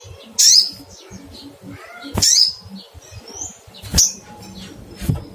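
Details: Little spiderhunter calling to find a rival: three sharp, high chirps spaced about two seconds apart, each a quick down-slurred note, over a low, steady background hum.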